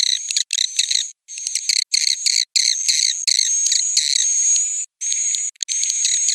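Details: Roosting calls of swiftlets: stuttering chirp trains that give way to a smooth, drawn-out high whistle, grouped into bursts with short silences.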